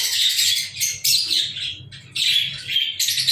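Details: Several lovebirds, recorded 14 February 2023, trade rapid high squeaks and scratchy chirps in clustered bursts separated by short breaks.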